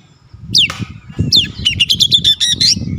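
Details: Oriental magpie-robin, a bird said to be singing persistently and unloading its mimicked song repertoire: a harsh squawk, then a rapid run of sharp chirps and whistled notes, over a steady low rumbling background.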